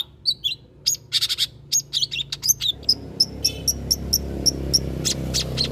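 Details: Long-tailed shrike, called cendet, played to lure other birds to sing along; varied chattering and whistled notes first, then a regular run of sharp high ticks about every quarter second over low hum.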